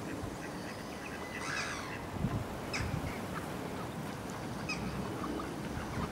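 A mallard gives a few brief nasal calls, the clearest near the start and another later, over a steady rushing background of wind or water.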